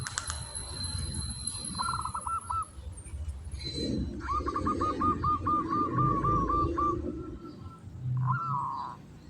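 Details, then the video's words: Local kantong semar zebra dove in breeding condition singing ngretek: short bursts and a longer rapid series of hooked coos, partly masked by heavy low rumbling noise, ending with a drawn note. "Perkutut lokal kantong semar ngretek"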